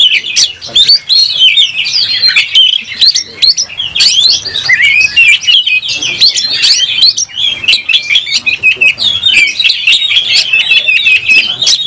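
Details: Oriental magpie-robin singing hard in a fighting mood with its tail fanned: a rapid, continuous jumble of bright whistles, slurred trills and harsh chips, very busy and high-pitched throughout.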